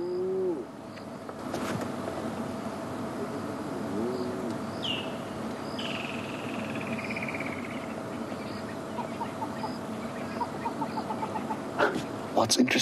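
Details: A hornbill calls nearby at sunset in Sabi Sand, South Africa, on January 26, 2016: a fast run of hollow clucking notes near the end, faint under a steady engine hum, with a brief whistle from another bird.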